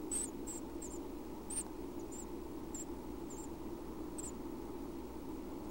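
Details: Around 6:30 AM at breakfast time in a Half Moon Bay, California nest box, six Chestnut-backed Chickadee chicks about one week old give thin, very high squeaks in scattered bursts, about eight in six seconds, over the steady low hum of the Pacific Ocean.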